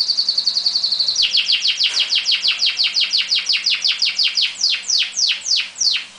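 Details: Canaries in a singing duel, two birds competing; a rapid high trill gives way to a long series of steep descending sweeps repeated about three times per second, clear and loud.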